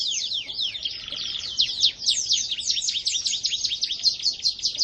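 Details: Canary in energetic 'gacor' song: a dense, unbroken run of rapid, high, downward-slurred chirps that quickens into a long, rolling trill of near-identical notes.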